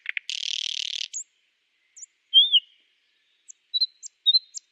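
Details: Nightingale song: an opening buzzy rattle followed by scattered high chips and short whistled slurred notes separated by pauses.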